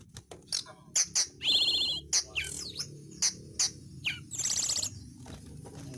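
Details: Sunda blue robin, known locally as tledekan gunung or sulingan, sounding in an energetic song used as bird-training material: sharp high chirps and short whistled notes, a buzzy trilled burst near the end, with faint background hum.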